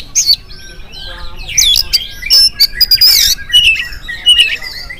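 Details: Oriental magpie-robin singing energetically in the morning, a lure song meant to prompt other magpie-robins to answer. The phrases are rich and varied: sharp high whistles, rasping squawky notes and quick slurred trills that come in uneven bursts.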